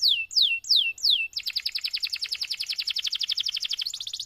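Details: Canary tutor song for other canaries: four clear descending whistles, then a fast rattling trill that runs to the end.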